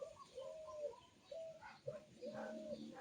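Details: A bird sings a series of flat, whistled notes, some drawn out, others short, at a steady mid pitch with a few higher faint notes, over a quiet hiss of background noise.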